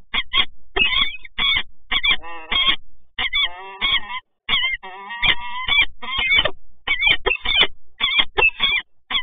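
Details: Resident peregrine falcons meet in Toruń, 26 August 2022. Their loud, grating calls come in a near-continuous series, with some drawn-out, wavering wails mixed in among the rapid, clipped notes.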